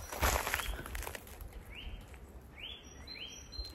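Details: Eurasian nuthatch in winter at a chateau gives three short, clear upslurred whistles, each rising then levelling, about a second apart, after a burst of rustling footsteps.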